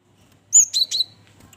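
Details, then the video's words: Cinereous tit, the stone gelatik, giving a brief burst of high, thin notes: one clear whistled note followed by two quick buzzy chips, then near silence. "Semua Burung Gelatik Ikut bunyi"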